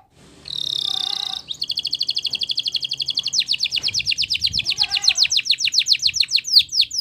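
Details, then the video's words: Belgian canary singing: a short buzzy burst, then a long rapid trill of repeated high notes, shifting into a faster series of descending sweeps, about four notes per second throughout. "Belgian Canary Singing"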